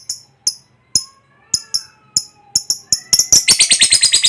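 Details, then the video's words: Lovebird with scattered sharp high chips at first, coming closer together, then breaking into a rapid, continuous chattering ngekek trill for the final second. "Suara Burung Lovebird NGEKEK PANJANG"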